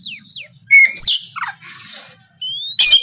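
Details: Oriental magpie-robin singing to provoke rivals: falling and rising whistled slurs, a harsh rasping burst, then a long upward whistle and a sharp scratchy note.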